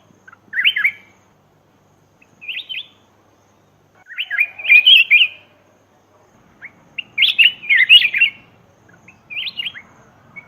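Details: Chirpy, bubbling black-crested bulbul phrases used as a lure for wild birds. Short warbled notes come in groups about every two seconds, with a busier burst in the middle.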